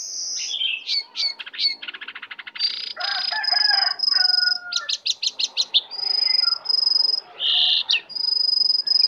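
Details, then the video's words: Lesser shortwing, a wild bird coming in to attack, sings a varied jumble of high whistles, fast trills, buzzy rattles and sharp chirps, with sustained thin tones in between. "Jongkangan/cingcoang coklat Liar Datang Menyerang"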